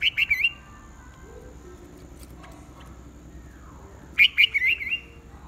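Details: Morning contest singing by a red-whiskered bulbul: a loud, quick, warbled whistled phrase of rolling notes, a pause, then a longer matching phrase of looping notes.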